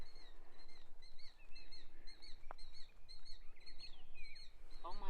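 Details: A killdeer by a small, peaceful lake at the south end of a quarry near Lake Huron, Michigan, gives a run of high, thin piping notes, about two each second, some slurred up or down; a woman's voice begins at the end.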